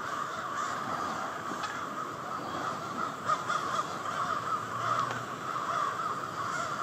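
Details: Massive flock of crows settling for the night in Victoria Park, Charlottetown, Prince Edward Island; constant chattering caws from many birds blend into one dense sound, swelling slightly in the middle.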